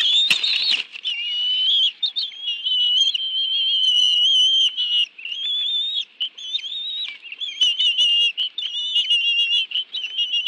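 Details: Bald eagles at their nest in the National Arboretum, Washington, D.C., 11 June 2017 at 2:23 PM, as two adults each bring a fish for a family meal with two young; thin, high whistled notes run almost continuously, wavering and overlapping.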